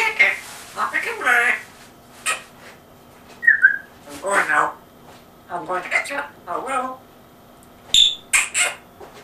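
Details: African grey parrot kept as a pet, speaking with an English accent in a small room: a run of rapid chattering word-like syllables, a short high whistle near the middle, and a crisp click.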